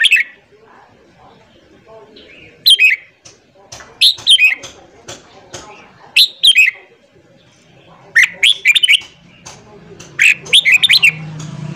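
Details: Morning song of a red-whiskered bulbul, used for training newly caught birds: clusters of quick, chirpy whistled notes in lively phrases, returning roughly every one and a half to two seconds over a quiet background.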